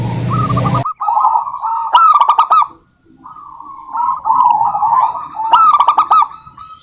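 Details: Female local zebra dove calling a rival: a brief burst of broadband noise, then fast stuttering, trilled coos at one steady pitch, broken by a sharp cluster of higher clicking notes twice.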